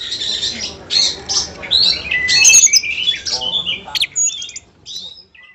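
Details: Oriental magpie-robin singing a full-material song: loud, varied phrases of clear whistles, sharp chips, buzzy trills and rising and falling notes in rapid succession, fading out at the end.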